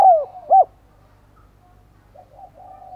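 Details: Decoy spotted dove calling to attract wild doves, ending a phrase with two loud low coos, then falling to a faint, muffled, murmuring coo.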